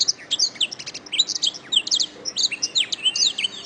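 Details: Continuous canary song from a master track for training other birds to sing: quick high chirps, short whistled notes and buzzy trills tumbling together without a break, over faint low hum.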